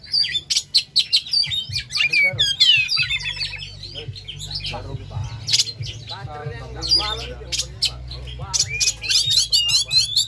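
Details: Captive Oriental magpie-robin singing energetically to stimulate other birds: rapid high whistles, sharp chips and buzzy notes tumbling in dense, varied bursts, with a steady low hum underneath.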